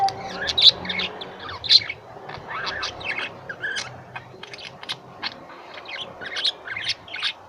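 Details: Lovebirds kept as pets produce irregular bursts of sharp high chirps and twittering squeaks, roughly one burst a second, with quieter gaps between.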